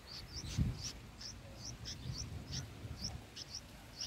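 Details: Bulbul chicks in their nest on day six, being fed by parents, giving short high chirps repeated about twice a second over a low rumbling background.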